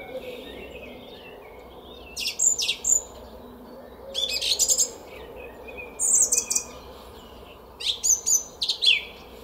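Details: At dawn in spring, 10 April 2021, a song thrush sings in a Szalkszentmárton garden: four separate bursts of high, sharply repeated notes and short whistles, separated by calm pauses.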